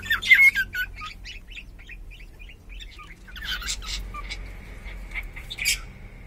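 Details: Pet cockatiel, sex unknown, opening with a loud squeaky whistle, followed by a rapid run of soft chirps, then harsher scratchy notes and a thin, steady held whistle toward the end.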